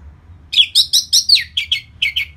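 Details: Orange-headed thrush song meant to rouse birds after moulting and make them more aggressive. Seven or eight harsh, buzzy notes come in a quick, fairly even series, a few slurring downward.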